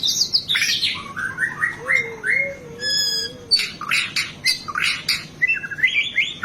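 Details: White-rumped shama singing hard, its song crowded with fill phrases, for tutoring caged birds: clear whistles, a low wavering tone, a short series of ringing notes, then harsh chattering bursts and upslurred whistles.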